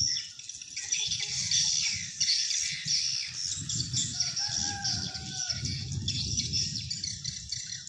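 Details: Swiftlets' dense high chirping chatter, used as playback to attract wild swiftlets to a swiftlet house; a faint lower whistled phrase midway and rumbling noise beneath.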